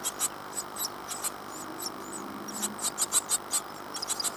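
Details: Fourteen-day-old great tit chicks inside a birdbox in Falmouth, UK, spring 2011. High, squeaky chirps come in rapid bursts, then a short quiet spell, then a denser run of sharp peeps.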